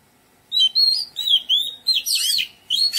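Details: Oriental magpie-robin in a garden with a phrase of clear whistled notes that turns into a burst of harsh, scratchy chatter before ending on another whistle.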